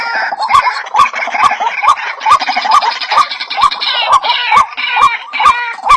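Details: Bird-luring recording of a White-breasted waterhen: a steady run of about a dozen loud, croaking notes at a brisk even pace, punctuated by clicks, with busy higher overlapping voices filling the background throughout.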